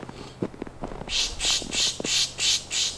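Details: Two wild Boreal Chickadees in Sax-Zim Bog during a December Christmas Bird Count, in subzero windchill. A series of six harsh, wheezy, buzzy notes repeated about every half second, with soft rustling and faint low thumps before them.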